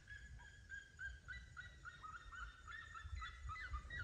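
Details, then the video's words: Seriemas singing a fast, continuous string of short, yelping notes with ringing overtones, the series growing busier and louder toward the end over low background rumble. "Som de Seriemas Cantando"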